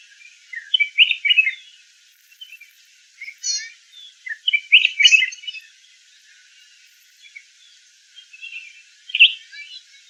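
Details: Red-whiskered bulbul giving short bursts of bright, liquid chattering notes in three groups spread over ten seconds, with quiet gaps between phrases and no other clear sounds.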